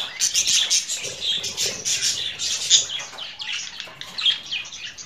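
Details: Budgerigar chattering softly, a run of high chirps, squeaks and scratchy twitters that stays at an even, moderate loudness.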